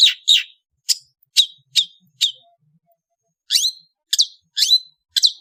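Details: Long-tailed bird of Indonesia calling on an afternoon: single piercing high chips with downward slurs, spaced about half a second apart, a pause of over a second, then more rising-falling chips.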